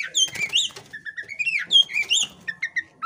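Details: Brief burst from a female kacer poci, an Oriental magpie-robin in breeding condition displaying with spread tail: tumbling slurred whistles and clicks mixed with low rustling noises.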